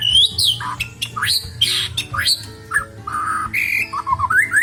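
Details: Caged White-rumped Shama wearing a brown ring in a flight aviary, kept as a master bird for tutoring song; loud varied whistles, sweeping rising and falling phrases with harsh squawky notes, continuous and rich.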